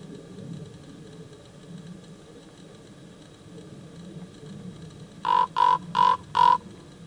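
Common raven giving four quick, harsh, hoarse calls in a fast, even series, preceded by several seconds of low background rumble.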